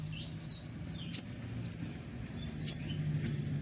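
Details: Sparse sharp notes of a Common iora in song: five brief, piercing high whistles spaced unevenly about half a second to a second apart, over a steady low hum.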